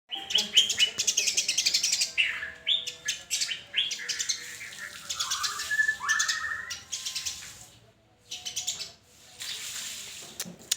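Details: White-rumped shama (murai batu) singing loudly: rapid bursts of high, sharp chirps and trills mixed with lower whistled slides, phrases changing quickly with brief pauses.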